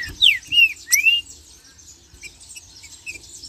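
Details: Green-winged saltator marching song used to fire up other saltators: three loud slurred whistles in the first second, one dropping and others rising, then quieter high chatter.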